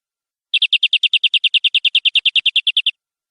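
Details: Canary in gacor, nembak-style song, delivering a regular trill of about twenty-two bright, chipped notes over more than two seconds at an even pace, with faint clicks underneath.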